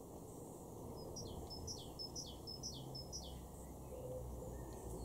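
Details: A male house sparrow in a garden in Weener, East Frisia, northwestern Germany, in April 2023, gives about eight high, down-slurred chirps, one roughly every half second, over a steady low rumble of wind or distant traffic.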